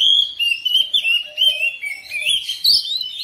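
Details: Home-kept oriental magpie-robin answering another bird with a continuous run of clear whistles and harsher chattering notes, rising and falling quickly and sung loudly throughout.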